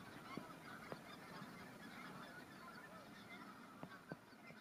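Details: Newly arrived greater white-fronted geese near Kalvi village, Virumaa, in spring 2019 call continuously from a flock, a mass of far-off yelping honks with a few sharp knocks.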